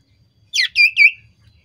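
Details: Common iora (cipow sirtu) lure recording meant to make other birds answer: three short, loud, high chirped notes in quick succession, each sliding downward, the last trailing off into a thin whistle.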